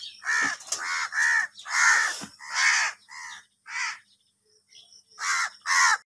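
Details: Several crows calling loudly while fighting over food, giving harsh, hoarse caws in quick bursts of two or three, with short pauses between groups.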